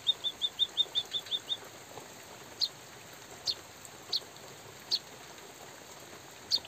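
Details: White-headed munia (bondol haji) calling for song training, with light drizzle noted: a quick run of eight thin high chirps, then widely spaced single sharp high notes over a soft background hiss.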